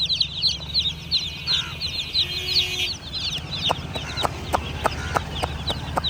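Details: Baby chickens chirp in quick, high, downslurred peeps, with a brief lower call midway, then sharp clicking taps mixed with the chirps in the last half.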